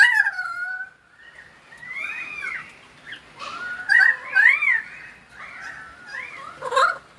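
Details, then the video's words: Pied currawong singing in the rain in Sydney, Australia: loud ringing whistled notes that slide up and down, some rising sharply, in irregular phrases with short pauses between them. "Pied Currawong singing in the Sydney rain"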